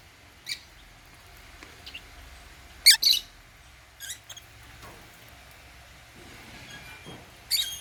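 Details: African lovebirds chirping at meal time while eating holy basil: scattered, brief, bright high squeaks, the loudest a doubled burst midway and another at the end, with faint lower ticks between.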